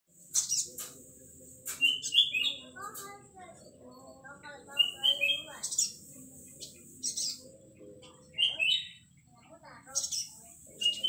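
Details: Young male Olive-backed sunbird in full song: short, bright whistled phrases repeated every few seconds, alternating with very high, hissing chatter bursts; faint low murmuring, possibly voices, underneath.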